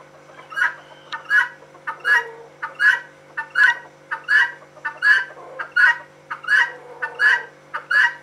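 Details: A female guineafowl gives loud, rasping two-syllable calls, a brief lead-in note followed by a stretched scratchy note, repeated regularly about every 0.75 seconds, eleven times in a row, over a faint constant hum.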